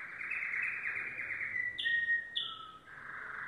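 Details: Domestic canary, yellow, delivers a long even trill, two sharp high chips, a lower whistled tour, then another rolling trill.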